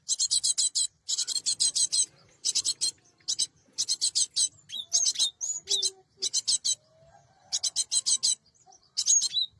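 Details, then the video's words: Cinereous tit used as a bird-trapping lure: steady series of harsh, buzzy chatter bursts, each of several fast pulses, mixed with occasional thin rising whistles. "Suara Burung gelatik batu terbaru!!! untuk pikat dan pancingan burung bahan"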